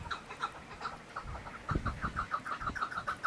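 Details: Chukar partridge giving quick, repeated clucking notes that speed up into a rapid chuk-chuk run, with low thuds and rumble underneath.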